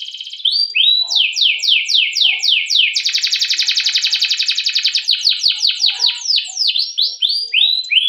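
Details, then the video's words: Canary song, a long rolling training song used as a lure for other canaries: rapid series of downslurred whistled notes, then a fast buzzy trill around three seconds, then more descending sweeps. "Masteran Suara Burung Kenari Ngerol Panjang cuit cuit untuk Pancingan Kenari"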